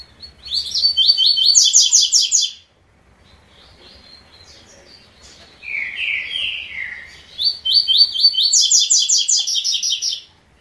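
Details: Double-collared seedeater in the three-note song style: two bouts of rapid, bright, repeated chipping notes, separated by a lower warbled phrase.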